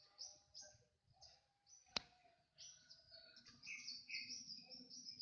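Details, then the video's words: Song of a crocokan bird: thin, very high whistled phrases, a sharp click partway through, then a denser run of high notes mixed with lower whistled slurs, over soft low background noise. "Kicau burung crocokan"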